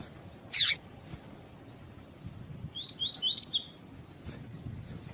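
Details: Rusty-collared seedeater (labelled coleiro tui-tui, Sporophila caerulescens) gives one brief, high twittering phrase of four or five quick slurred notes after a sharp click, with a faint, steady high whine throughout.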